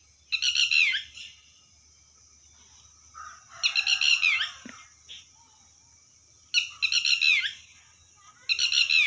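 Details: Red wattlebird repeating a harsh, buzzy, descending squawk four times at wide, uneven intervals, with quieter scratchy notes between and a soft low hum underneath.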